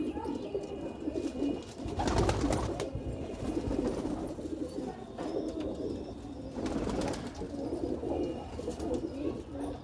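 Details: Several red desi highflyer pigeons in a small room coo continuously in low, throaty rolling phrases, with two louder bursts of scuffling or wing noise partway through.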